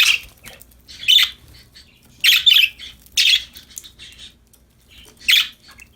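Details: Pet budgerigars, described as happy and playing, give bursts of harsh chirps and squawky warbles roughly every second, bright and high-pitched, with quiet pauses between.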